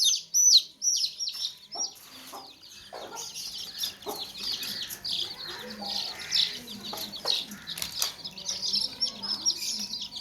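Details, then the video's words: Baby chicks in a tokri (basket) chirping in a dense, overlapping chorus of high, sharp peeps, with a few lower, softer rustling bursts and clucking sounds in between. "Baby Chicks Chirping Sounds In Tokri | Chicken's Chicks Sounds and Chickens Clucking Sounds"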